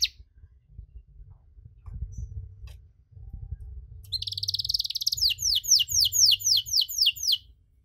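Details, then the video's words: Caged canary singing a long-duration cengkok song meant to provoke other canaries: a dense buzzy trill from four seconds, then a run of rapid descending whistled sweeps repeated about four per second, with low background hum. "KENARI CENGKOK DURASI PANJANG!! AUTO MANCING EMOSI KENARI LAIN"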